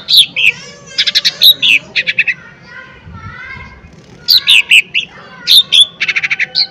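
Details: Lesser green leafbird in energetic lure song meant to stir other birds: a jumble of sharp whistles, quick stuttering trills and varied chirps in dense bursts, with a brief softer warbled passage in the middle.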